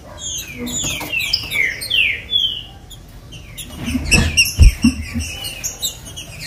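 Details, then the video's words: Green-winged saltator singing, a song meant to warm up caged birds: several quick descending whistled slurs in the first half, then quieter, with dull thumps and knocks near the end. "TRINCA FERRO OUVIU CANTOU O MELHOR CANTO PARA ESQUENTAR FOGUEAR LEVANTAR SEU TRINCA FERRO"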